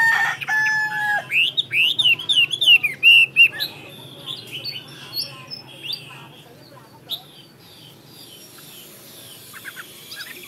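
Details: Chinese hwamei giving a string of rich slurred whistles that arch up and down, preceded by brief mixed noises and fading into quieter scattered notes.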